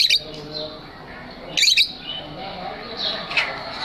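Lovebirds give shrill, high chirps and squeaky notes in short bursts, with quieter chatter between, repeated a few times over a few seconds.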